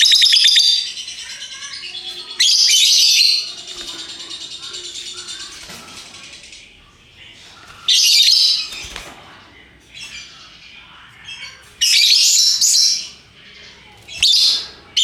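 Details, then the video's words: Lovebirds of many colours giving the loud chattering ngekek call: harsh, shrill bursts of squeaky chatter, each a second or so, separated by quieter stretches. "Burung Lovebird Rupa Rupa Warnanya, Burung Paruh Bengkok, Bunyi Ngekek Gacor"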